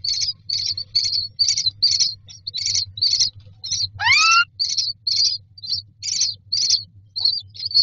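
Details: Baby myna birds calling for food in a nest box: a continuous series of harsh, high chirps, one sharply rising whistle-like squeal midway, over a steady low background hum.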